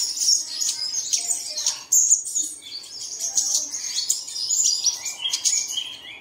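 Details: Early-morning bird song played so caged birds will sing, with varied high chirps, short whistles and slurred notes tumbling together from several overlapping voices.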